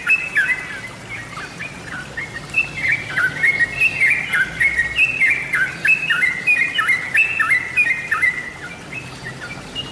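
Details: Sooty-headed bulbul singing on a lure track for birds: lively run of liquid whistled notes jumping between pitches, phrases tumbling continuously for ten seconds, a fainter high twitter behind.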